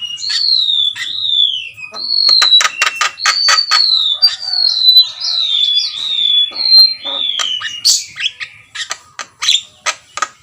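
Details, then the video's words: Javan myna, jalak kebo, delivering gacor song: loud, clear downslurred whistles repeated about once a second over a background of sharp clicks, ending in rapid harsh notes. "jalak gacor || suara asli jalak kebo"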